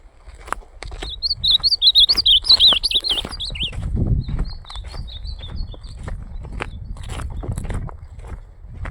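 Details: Ultramarine grosbeak singing on a Sunday morning, 14 December 2025: a quick warbled phrase of high, bubbling, up-and-down whistled notes lasting about two seconds, followed by soft rustling and low thumps.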